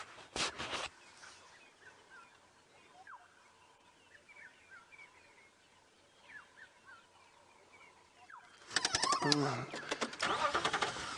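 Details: Black-headed Oriole calling very close by in the morning on a safari drive: liquid, fluty whistled notes and short slurred phrases, with a man talking over the start and end.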